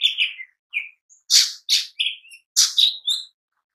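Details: Lesser green leafbird (cucak ijo mini) in strong, vigorous song for luring and daily training: rapid whistled slides and loud explosive chirps in tight succession, dense and varied, with hardly a pause.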